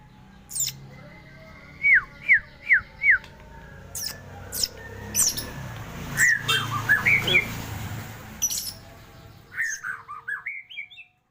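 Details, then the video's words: Magpie-robin giving a series of four clear, sharply descending whistled notes, followed by softer twittering and scratchy phrases over faint background hiss, ending with a short rising warble. "kicau burung murai"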